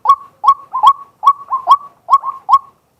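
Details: Daytime calls of a male white-breasted waterhen, recorded live: about nine short, abrupt, upward-inflected croaks in three seconds, delivered in an uneven rhythm.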